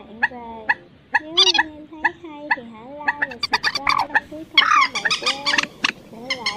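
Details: Migratory birds, called trích ré, quốc mốc and quốc biển, used as a night net-trapping lure in August 2023; spaced nasal, bending calls with short bursts of rapid sharp clicks, growing busier toward the end.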